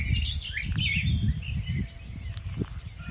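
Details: Short burst of Rufous-tailed scrub robin song, a migratory bird: a few quick fluty warbled notes sliding up and down, followed by softer twitters, over heavy low wind rumble.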